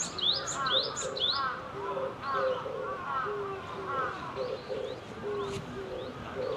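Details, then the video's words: Wild Java sparrow song: busy repeated clucking and chirping notes at a quick pace, with lower paired tones and sharp high rising whistles mixed in, against light outdoor noise. "Kicau Glatik Jepang Liar"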